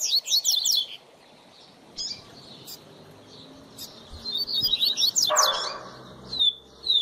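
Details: Tutor rusty-collared seedeater song used to train a young bird: short bursts of high, rapid slurred whistles separated by pauses, with a brief noisy rustle midway.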